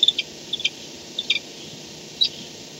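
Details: Barn owl nest at night, 4:38 am on 2-10-16, filmed by nest camera on an owl's return; a few isolated high, thin chirps and clicks separated by short silences over a low steady hum.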